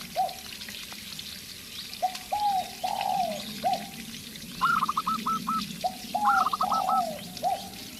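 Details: Spotted dove decoy coos low and slurred at the start, after which a local zebra dove answers twice with crisp, fast runs of short high cooing notes over a soft background hum.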